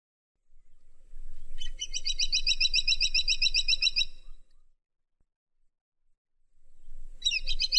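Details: Woodpecker calling a fast, even trill of sharp, bright notes, about ten per second, lasting nearly three seconds; after a pause a second trill begins. A faint low rumble sits underneath.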